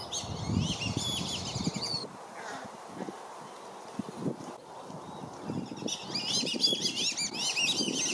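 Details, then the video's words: Black-bellied whistling ducks in Lakeland, Florida, with parents guarding five juveniles against a surrounding flock. A burst of wavering high whistles opens, a quieter middle holds splashing and low sounds, then a fresh flurry of whistles closes. "BLACK-BELLIED WHISTLING DUCK PARENTS PROTECT THEIR YOUNG FROM OTHER DUCKS"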